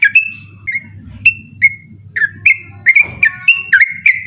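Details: Yellow-vented bulbul, locally trucukan, singing insistently at night for use as training material for birds that compete after dark; spaced whistled notes that speed into a quicker bubbling series, with a low hum and a brief rustling thud.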